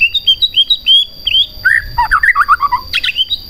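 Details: Song of a white-rumped shama meant to rouse rival shamas to sing: quick series of sweet whistled notes followed by a rapid cascade of slurred, descending chirps and a bright warbled ending, over a faint constant hum.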